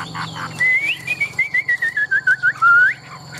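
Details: Caged Chinese hwamei, a competition singing bird, delivering a clear whistled phrase: a rising note then a chain of about ten quick slurred whistles stepping slowly downward, ending in a longer rising whistle.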